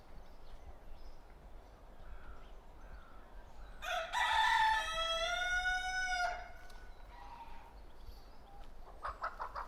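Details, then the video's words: Rooster on a farm crowing once, a drawn-out harmonic cock-a-doodle-doo lasting about two seconds that rises and holds before dropping off, set against a steady low background rumble, with faint clucks before and after. "Animals on the farm, with their natural sounds - Chicks & Ducks"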